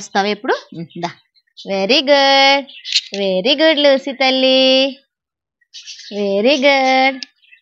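A macaw talks in short, voice-like bursts with a nasal, slightly rising tone, several phrases a second or two apart. A person's brief voice is also heard.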